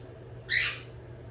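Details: Monk parakeet making new friends gives one harsh, raspy squawk of about a quarter second that starts sharply and fades, over a faint steady low hum.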